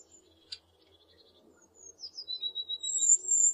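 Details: Blue tit: a faint click and soft low background noise, then a song of thin, high notes dropping to a quick trill, followed by a bright, very high sustained trill at the end.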